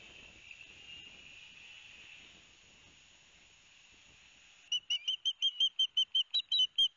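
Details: Young ospreys at a Barnegat Light, New Jersey nest on a live cam, 13 September 2021, noisy as their father delivers fish. A steady thin whine gives way to a quick run of sharp, high whistled chirps repeated several times a second.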